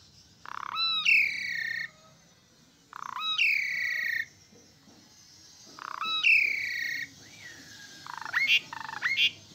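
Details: Asian pied starling song: long harsh nasal notes with a rising whistled start, given about every two and a half seconds, ending in sharp metallic whistles.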